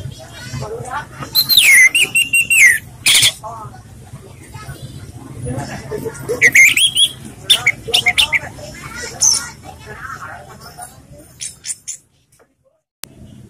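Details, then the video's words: Relaxed orange-headed thrush song, suited for luring other birds: repeated bursts of sweet, sliding whistles and quick chips spread across the clip, with background voices, fading to near silence at the end. "ANIS MERAH bersuara santai/cocok untuk pancingan"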